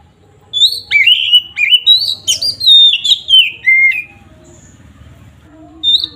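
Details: Oriental magpie-robin (kacer) in energetic gacor ngeplong style, used to provoke rival birds: a burst of loud clear whistled phrases, some sliding down, others sharp and chirpy, for about three seconds, then near silence with one final whistle.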